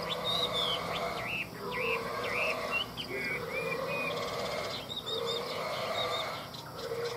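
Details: Chinese hwamei from a Vietnamese bird seller opens with a rapid run of bright whistled, up-and-down notes over about three seconds, then quieter rougher sounds and faint low mechanical hum.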